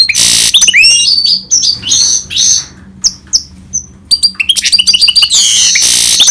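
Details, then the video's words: Goldfinch and canary hybrid singing a loud, busy song of rapid chirps, upswept whistles and dense buzzy bursts, pausing briefly near the middle before resuming with quick rising notes. "Гибрид щегла с канарейкой/ سایره کنری/ hybrid of goldfinch and canary"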